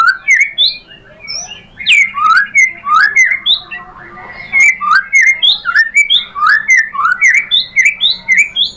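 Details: White-rumped shama song used to provoke singing: bright looping whistles repeated about three times a second in varied phrases, a short quieter gap, then a dense rhythmic run of rising and falling notes.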